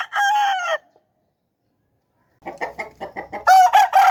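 Aseel roosters crowing: a harsh, drawn-out crow, then a run of short clucks and another loud crow starting.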